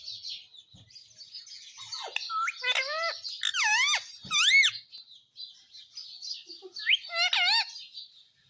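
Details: Indian ringneck parrot calling indoors: loud harmonic-rich squawks with wavering, bent tones, some rising sharply, given in bursts over a soft background of high chattering.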